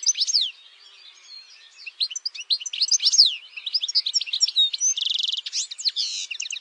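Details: European goldfinch of campero style: varied twittering and sliding whistles building into a fast sequence, including a dry rapid trill near the end.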